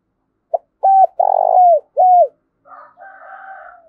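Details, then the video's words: Spotted dove in gù thúc and gáy gọi cooing, thổ đồng voice; a brief tap, then three deep rounded coos, the middle one longest, each sliding down at the end, followed by a quieter, rougher droning coo. "Tiếng cu gù Thúc và Gáy Gọi Nghe Cực hay"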